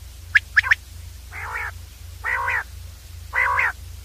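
A Common Quail gives three quick, sharp high notes, then three longer, harsher nasal notes about a second apart, over a steady low hum.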